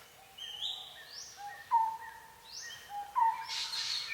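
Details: Birds in a forest at Phusing, Sisaket, Thailand: clear rising whistled glides alternate with steady mid-pitched whistles, answered by other chirping birds, ending in a hissy burst of high notes.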